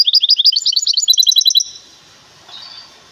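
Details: Caged goldfinch hybrid from Temara singing a fast, bright run of twittering, sharply repeated high notes for about two seconds, then falling silent with only faint background hiss.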